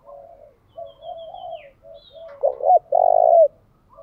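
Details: Spotted dove used as a decoy to lure wild doves, delivering 'thúc gù' cooing with constant changes of pattern. Gentle low coos and a thin high whistle lead into a loud double note and a long sustained coo.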